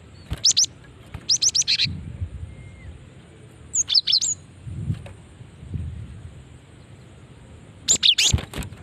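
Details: Calling female cinereous tit, used to attract and provoke other tits; clusters of sharp high chirps with a descending whistle, four groups spread through the recording, low rumbling background noise between them.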